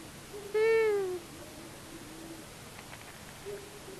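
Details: Male and female long-eared owls visiting a buzzard nest in Tiszavasvári, Hungary, March 23, 2022: one loud nasal call gliding slightly downward, then faint clicks and a soft low note.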